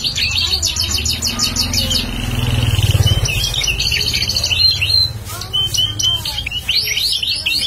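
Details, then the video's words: Bar-winged prinia, a future lure bird, singing energetically; rapid stuttering trills of high notes, then sharp upswept chirps, with a passing vehicle rumbling loudly in the middle. "prenjak paud gacor calon pikat"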